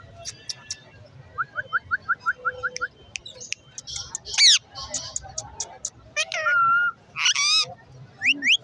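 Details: Rose-ringed parakeet, a green ringneck talking parrot in a bird market at Lalukhet, giving a run of short repeated chirps, then sharp rising squawks and whistled notes amid market background noise.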